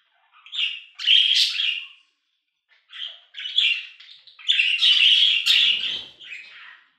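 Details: Budgerigar warbling for cats to sleep, bursts of grating, buzzy chatter and chirps in two long phrases separated by a short pause.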